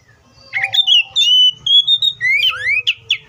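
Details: Oriental magpie-robin delivering a short clear whistled phrase: a sustained level note, then quick upslurred whistles in a rapid burst, with faint low background hum.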